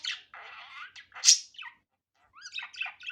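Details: Budgerigar in an unedited natural recording: a brief burst of scratchy chatter and a sharp high squawk, then a short pause before more rapid, twittering notes.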